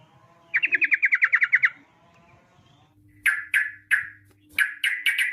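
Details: Yellow-vented bulbul, 'ropel' song used to draw bulbuls into song: a fast trill of about ten chirps, a pause, then loud separate sharp notes and short slurred phrases, with a low steady hum.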